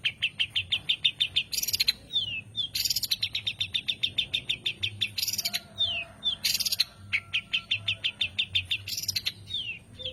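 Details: Long-tailed shrike showing song variations: rapid series of sharp, evenly spaced chips, repeated many times, broken by loud harsh bursts and quick descending slurred notes.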